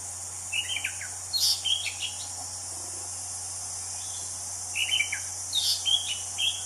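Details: Wild orange-headed thrush singing two similar phrases about four seconds apart, each a fast string of chirps and downslurred whistles, over an unbroken high insect drone.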